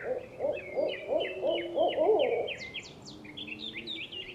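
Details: Owl producing a quick, fading series of low wavering hoots over about two and a half seconds. Rising and falling high bird whistles continue after the hoots stop.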